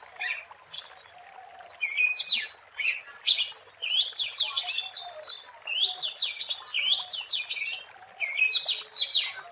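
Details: Oriental magpie-robin (kacer) song from the wild, used as a lure: fast, energetic run of sweeping whistles and rattling notes in near-continuous phrases after a quiet start.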